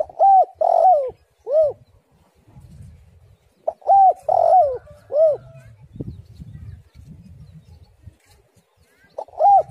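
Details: Spotted dove female lure call, repeated rhythmic phrases of three to four arched coos, the middle one longer and warbling, recurring about every four seconds with low murmuring noise between.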